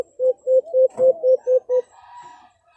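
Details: Alimokon, or brown dove, call played as a hunting lure to bring doves near. Seven short, low, hollow coos in quick succession, about four each second. A faint, softer, higher murmur follows.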